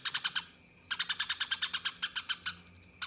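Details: Eurasian tree sparrow in a fighting-style song used as a tutor recording for contest birds: bursts of harsh, high chirps in rapid fire, about eight or nine a second, with a brief pause between a short run and a longer one.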